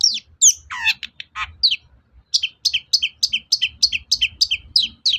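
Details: Provocation song of a long-tailed shrike: a mixed opening of sharp chips and buzzy trilled notes, a short pause, then a rapid series of paired, downslurred high notes repeated several times a second.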